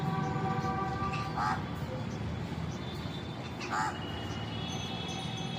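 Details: Crow giving two short, harsh caws a couple of seconds apart, partly masked by constant low rumbling background noise and faint tonal hum.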